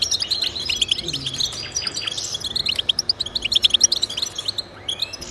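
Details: European goldfinch singing, intended to stimulate pet goldfinches: a busy run of sharp high tweets and tinkling notes, with occasional short rising whistles.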